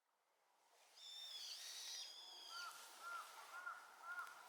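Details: A Brown-eared Bulbul, responding to a flock's loud chorus, gives loud, shrill, stacked screeching phrases, followed by a run of short, lower notes repeated about twice a second.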